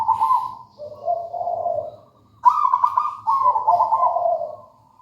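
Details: Local zebra dove from the wild in energetic song, two vibrant rolling coo phrases, each opening with a bright trill and sliding into a lower, softer purring tail.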